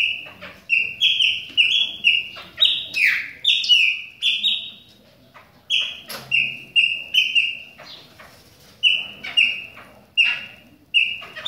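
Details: Chopi blackbird singing in the rain: bright whistled notes, many sliding down, delivered in quick runs with short pauses between phrases.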